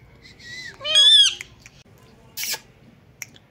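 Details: Talking pet Indian ringneck parakeet copying a cat's meow, giving a short curved whistle and then a loud harmonic meow-like call that rises and falls, followed by a brief burst of noise and near silence.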